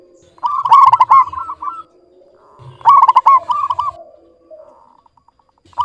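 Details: Local zebra dove calling steadily in a clear voice: two loud phrases of quick, rolling cooed notes, each about a second long and two seconds apart, trailed by softer, lower coos and a faint fading series of notes.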